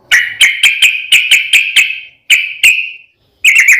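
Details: Sooty-headed bulbul song used as a lure to get other bulbuls singing: a run of clipped bright notes repeated about every quarter second, a short pause, then two more and a final quick rippling phrase.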